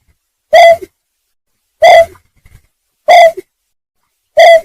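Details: Four loud, short hoots from a greater painted-snipe, a call used to lure birds when trapping; each note is flat-pitched and resonant with a faint tail, recurring about every 1.3 seconds with clean silence between.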